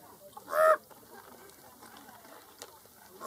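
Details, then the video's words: A raven perched along the edge of the Grand Canyon, watching people eat lunch, gives one loud, harsh, nasal call about a quarter second long, with a second call beginning right at the end; quiet background hiss between. "RAVEN CALL"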